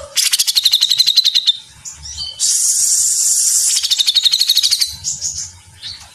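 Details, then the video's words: Grey-cheeked bulbul in rapid 'gacor mesetan rapat' chatter used as training song: fast pulsed trill of sharp notes repeated about four per second, then a long harsh hissing burst, followed by another quick pulsed trill. "Masteran Cucak Jenggot Gacor Mesetan Rapat"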